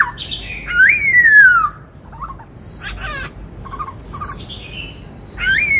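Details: Black-throated laughingthrush singing in the style called 'bắt cô trói cột': a loud, long whistle rising then sliding down, followed by quieter broken phrases and thin high chirps.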